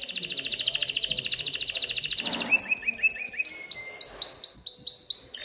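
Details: Canary in breeding excitement sings to urge females toward mating and nest building; a rapid rattling trill for over two seconds gives way to sweet whistled phrases in paired high and lower notes, varied slurred tours.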